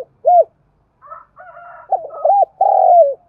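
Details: Decoy spotted dove calling to provoke wild doves. A single short arched coo, then soft low murmurs, then a full phrase of quick coos ending in a long burry coo that slides down.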